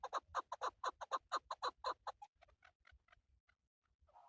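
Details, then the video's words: A male chukar partridge, a bird used in hunting, gives a steady series of loud, hoarse chuk notes about twice a second, then trails off into softer, quieter clucks. "Male chakoor shikar kekliksesi"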